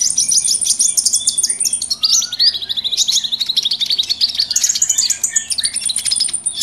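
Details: Noisy mix of small wild birds used as a trapping lure, a dense chorus of high, rapid chirps and twittering trills with a thin sustained whistle above and a brief low falling note near two seconds.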